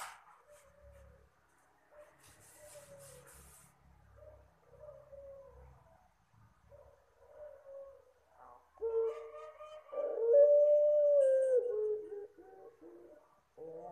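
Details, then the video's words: Puter Pelung dove giving a soft call used as a lure for birds: faint low tonal coos early on, then louder drawn-out, slightly falling coos with harmonics in the last seconds. "suara burung Puter Pelung lembut,, ampuh buat pancingan...."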